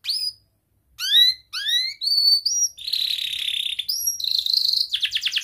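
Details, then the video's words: Young training canary singing: separate bright falling chirps after a short silence, then a sustained buzzy trill and fast repeated sweeping notes. "Kenari Gacor Muda Rol Rapat Cuit cuit ngeroL 100% Terapi Ampuh kenari Paud belajar Bunyi & MACETAN"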